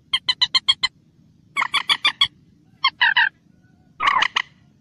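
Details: Common moorhen, known locally as mandar batu, calling in the wild: four bursts of short, harsh, evenly spaced clucking notes, quick kek-like series with brief pauses between groups, against a quiet background.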